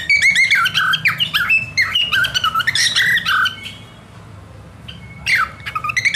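A cockatiel sings a rapid, warbling run of whistles and chirps, with squawky notes mixed in.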